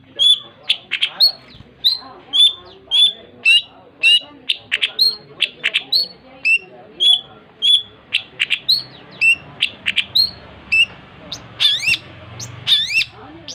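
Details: Long-tailed shrike singing vigorously: loud, sharp whistled notes repeated about twice a second in a steady series, with a few rising, buzzy phrases near the end.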